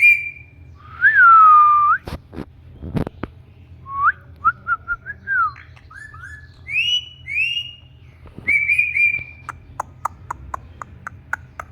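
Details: Indian ringneck parakeet kept as a pet, producing a varied run of whistled notes, slurred glides and short chirps, ending with a rapid string of brief clicks.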